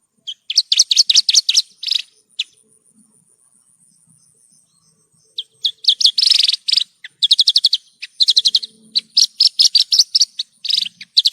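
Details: Horsfield's bush lark song used as a training track for caged birds: bursts of rapid, high, ringing chirped notes separated by silent gaps of up to three seconds, some phrases buzzy and dense, others crisp staccato runs.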